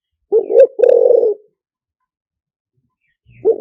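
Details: Spotted dove song, liw tan style, used as a fast-working decoy: one soft low coo followed by a drawn-out throbbing croo, then silence before a new phrase begins.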